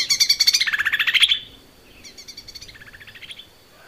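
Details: Lesser green leafbird singing energetically, recorded as cage-bird training material: a loud, fast, descending chatter of high chirps, followed after a short gap by a quieter, steady rapid trill.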